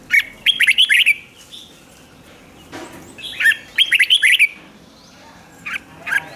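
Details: Red-whiskered bulbul song in the rik style, used to rouse caged birds: two rapid, jerky phrases of five or six loud chirruping notes about three seconds apart, then two short single notes near the end.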